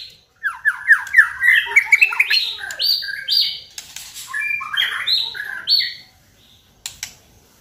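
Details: White-rumped shama song for provoking other shamas to sing: a quick cascade of descending slurred notes, rising into louder clear whistles, then a pause and a single faint chip near the end.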